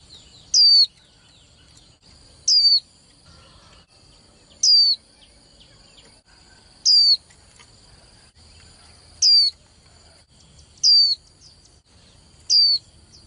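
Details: Young female white-eye, used to spur male birds in singing contests, repeats a brief, thin, plunging whistle about every two seconds, seven times in thirteen seconds, over a faint constant high tone.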